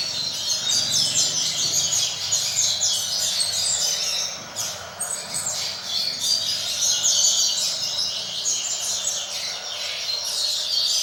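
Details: Young brown-plumaged double-collared seedeaters, kept birds in training, hear a Roda de Fibra style song. Dense, fast high-pitched warbling and twittering runs almost without pause, with short chirps and trills overlapping throughout.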